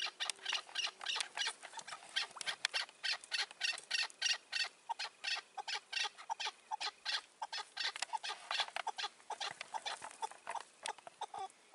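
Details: Chukar partridge calling in a May 2024 partridge hunt using a decoy bird, with a wary old wild partridge around. Rapid, grating chuck notes come in uneven bursts, roughly three per second.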